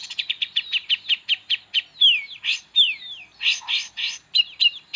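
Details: Long-tailed shrike song of rich varied content, used to tutor magpie-robins: a rapid series of short sharp chirps, then two clear whistled notes sliding downward, followed by harsher bursts and twisting chirps.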